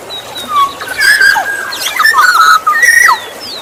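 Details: Lure recording of a black-naped oriole: flowing whistled phrases that rise and fall, interrupted by short harsh buzzy notes, and ending with a long clear whistle.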